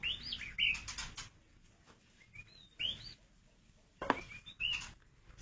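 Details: White-rumped shama, a newly paired bird just put into a breeding cage at a breeding farm, giving short clear whistled notes, some rising and some falling, in scattered bursts, with clicks and cage knocks between them.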